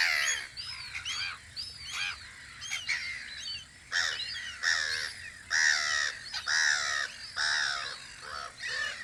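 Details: Gulls on Audru polder in spring, at their guard post, calling in separate loud bursts of harsh, wavering cries, roughly one every second, against a low murmur of distant birds.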